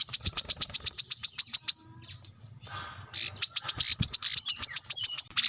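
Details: Plain-throated sunbird, locally kolibri kelapa or wiceh, singing vigorously to find a rival: dense rapid trains of piercing high chips, about four a second, with a pause and faint low background hum between bursts.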